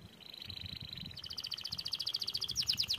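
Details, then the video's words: Canary song, quieter and more distant: a sustained high tone switching to a rapid pulsing trill that grows louder, ending in sharp fast notes, with some low background noise. "TERAPI BUNYI BURUNG KENARI GACOR!!"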